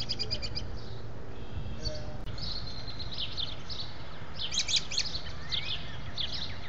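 American robin giving short, clear, high chirping phrases in quick bursts, some rising and squeaky, over a steady low rumble of background noise.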